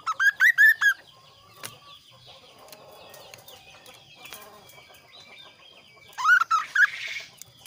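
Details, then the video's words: Lively kaso kaso bird with a varied, clear song: a fast burst of about five sharp, high whistled notes opening, a quiet stretch with faint chirps, then another quick run of slurred whistles near the end. "suara variasi burung kaso kaso gacor"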